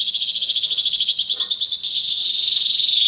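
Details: Male canary song for exciting females before mating: a fast, even, rolled trill held on one pitch, shifting slightly higher for a final rolling passage.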